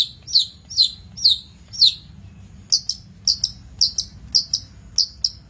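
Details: Long-tailed shrike in a master recording for training birds, giving sharp, high, downslurred chirps, first spaced about every half second, then in quicker paired bursts.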